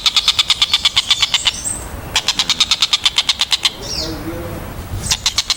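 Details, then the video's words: Kingfisher (tengkek buto) calling in rapid bursts of piercing, evenly spaced high notes. Two runs are separated by short pauses, with a few softer scattered sounds in the gaps. "TENGKEK BUTO || SUARA TAJAM & JERNIH"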